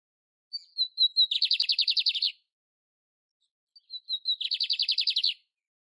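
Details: Império canary singing in nature, delivering two similar phrases about three seconds apart, each opening with thin whistled notes and breaking into a quick, buzzy, evenly pulsed trill; a single faint click is heard between notes.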